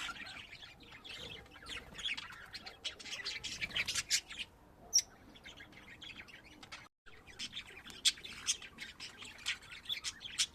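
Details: Pet budgerigars at home: rapid bursts of clicking chirps and squeaky warbles in clusters, pausing briefly before the chattering resumes.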